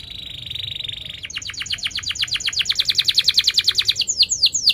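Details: Canary in sharp rolling song, a lure for young canaries learning to sing: a steady buzzy tone, then a fast, regular high trill of pulsed notes, ending with downward sweeps.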